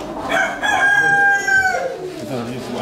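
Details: New Hampshire rooster, a dual-purpose chicken breed, giving one long crow: a loud drawn-out note that holds steady, then drops and fades toward the end. Brief speech is heard around it.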